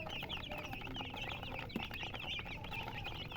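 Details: Many baby chicks chirping together in a steady chorus of high, quick peeping notes, overlapping continuously, with a low background hum.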